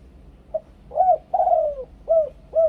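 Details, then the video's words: Thai spotted dove kept as a lure singer in the two-kuk ku-ang style, giving a soft short note, then mellow hollow coos with one long sliding, falling coo in the middle, clear and close over a quiet background. "นกเขาใหญ่ 2 กุก คูอ่าง เสียงต่อชัดๆ"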